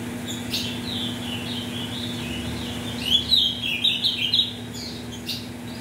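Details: Captive ultramarine grosbeak from mutation parents, singing as a warm-up for song tournaments. After scattered faint notes, a loud run of quick, high, jumbled notes comes in the second half, over a constant low hum.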